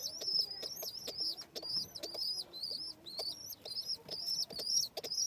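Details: Domestic pigeon chicks being fed by an adult: loud, piercing, wavering squeals that run almost without a break, about two per second, with faint low scuffling beneath.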